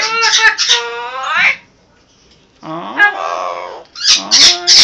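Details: Indoor Amazon parrot talking: high, wavering, speech-like phrases with rich harmonics, a pause, then a second run of rising and falling syllables and sharp, loud chatter at the end.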